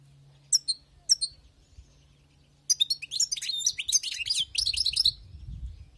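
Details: European goldfinch, wild-caught, gives a few sharp single call notes, then breaks into a dense, rippling twittered song of rapid high notes, with low thumping handling noise near the end.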